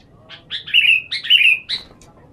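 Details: Sooty-headed bulbul, a lure bird during sunning therapy, gives bright chirpy phrases: short buzzy notes running into clear, slightly falling whistled slurs, two linked phrases with a faint low rumble beneath.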